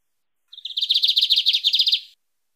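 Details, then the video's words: Mateiro-style song of a lined seedeater, meant for training or warming up a pet bird: a short opening note, then a steady trill of high, buzzy repeated syllables for about one and a half seconds, clean background. "Bigodinho Canto Mateiro - Esse Canta Muito - Ótimo para Treinar ou Esquentar seu Bigode"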